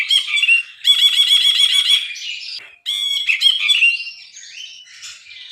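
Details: Vigorous Brinji bulbul song of dense, rasping chatter in two long bursts, each broken by a brief pause and trailing into softer slurred whistles and scratchy notes.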